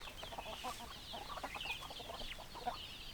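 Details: Chickens calling together: a dense, continuous mass of short high notes overlapping one another, with lower clucking pulses beneath and no pauses.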